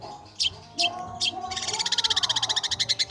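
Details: Long-tailed shrike (pentet/cendet), a bird praised for playing with notes: three short separated chips, then an accelerating series of fast, harsh, evenly repeated notes, against low steady background tones.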